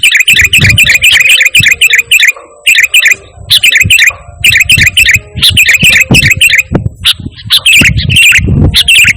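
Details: A sooty-headed bulbul sings persistently with no mimicked phrases, for calling and tutoring caged birds. Dense clusters of quick warbling notes come in runs separated by short pauses, with low thumping noise underneath.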